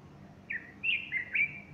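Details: Morning song of a bulbul on 30 August 2015 with a female standing near and puffing up her plumage; a short burst of four clear whistled notes, the later ones slurring upward and held.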